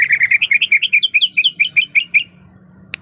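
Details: Female greater green leafbird in heat calling the male: a rapid run of bright chirped notes around 2 to 4k, about a dozen in two seconds, slightly rising then falling, ending abruptly with a faint click.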